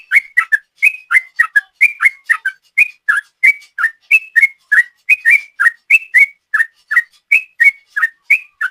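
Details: Lure recording of a sooty-headed bulbul in 'ropel' style: a steady stream of brisk whistled notes, some paired, each one sliding up or down, delivered continuously at roughly three per second.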